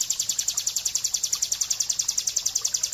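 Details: Bar-winged prinia in the ngebren, or AK47, style from a master recording for training birds: a continuous, evenly pulsed, shrill high trill, about seven pulses per second, unbroken throughout.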